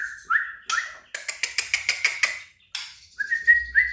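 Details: White-rumped shama in competition song: clear whistled notes that rise and then hold, then a fast run of about nine sharp clicking notes, then more level whistles.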